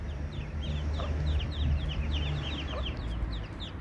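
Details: Eastern spot-billed duck ducklings and mother, wandered into a dry area with no waterside; high, downslurred peeps, about two or three per second, over a steady low drone.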